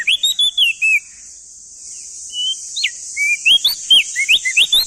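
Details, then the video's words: Male crested white-eye from East Nusa Tenggara, used as tutor song for young cage birds: clear whistled notes sliding up and down, with a quick burst of short phrases, a pause, then faster rising and falling whistles over a steady high hiss. "Masteran Burung Opior Jambul Muda Biar Cepat Gacor Rajin Bunyi Siang Malam"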